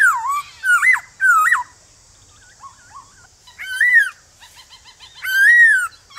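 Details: Morning song of a male White-cheeked laughingthrush in wild forest style, meant to make newly captured birds sing back. Rich, wavering whistled phrases alternate with soft chatter and pauses over a constant high-pitched hiss.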